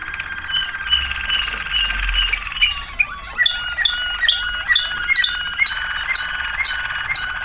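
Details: Waterslager canary singing, 2009: a steady droning tone overlaid with rapid dripping, plinking notes that repeat in a rolling water-like pattern, softer at first and growing brighter.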